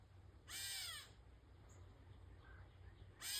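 A catbird gives two harsh, nasal, cat-like mews about two and a half seconds apart, each slurring downward, over a low background rumble.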